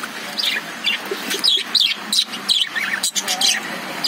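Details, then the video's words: Caged lovebirds chirping: short high twittering notes and quick upward-sweeping chirps come in uneven bursts, with brief pauses between them. "Love birds sound"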